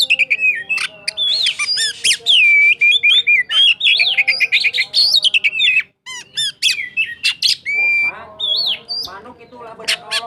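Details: A kacer cakrawala white-rumped shama from Sukabumi sings in the roll tembak style: a dense, nonstop stream of loud varied whistles, rapid slurred trills and sharp clicks, with a brief pause near six seconds.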